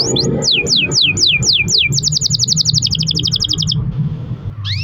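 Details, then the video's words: Canary song with long rolls, played to prompt other canaries to sing: a run of repeated downward-sweeping whistles, then fast high trills shifting to a lower trill, a short gap, and a rising note at the end; low background hum. "kenari gacor ROL PANJANG buat pancingan kenari agar bunyi"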